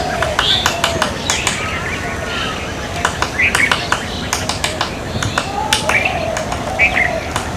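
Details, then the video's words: Fulvous-breasted woodpeckers tap at wood in sharp, irregular knocks, singly and in quick bursts, with brief high chirps from other birds and a low murmur behind. "Fulvous-breasted Woodpeckers pecking"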